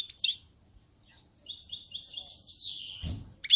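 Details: European goldfinch singing, with short bursts of twittering, tinkling high notes and a fast run of chirps and trills, separated by a brief pause; a low thump near the end.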